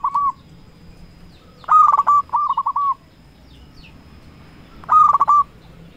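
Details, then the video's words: Local zebra dove singing a lure song meant to draw rivals into answering: a short stuttered cooing phrase, then a louder burst of rapid ticking notes followed by rolling coos around two seconds, and a final trilled burst near the end. "Perkutut Lokal Gacor Raja Pikat Paling Ampuh Ahlinya Bikin Lawan Gacor Nyaut"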